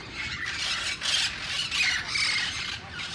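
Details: Wild parrots in Sherman Oaks, San Fernando Valley, giving harsh, raspy squawks in repeated bursts about every half second, several calls overlapping, with a low background rumble.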